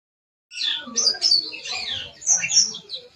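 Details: Long-tailed shrike, a shaggy-crested, white-breasted bird said to come from Sapudi, giving a harsh, chattering song of scratchy, buzzy notes mixed with thin high squeaks over about three seconds.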